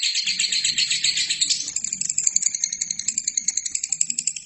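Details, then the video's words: Lovebird song from a training recording for other birds: a dense, rapid rattling chatter of high, buzzy notes pulsing several times a second without pause. "LOVERBIRD GACOR!!! INILAH HASIL TERAPI MASTERAN TERBAIK 2017"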